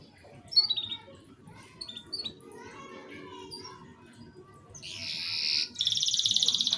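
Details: Canary singing short song fragments meant to stir young canaries into song: faint scattered chirps and twitters, then a loud high buzzing trill in two bursts near the end, over steady background noise.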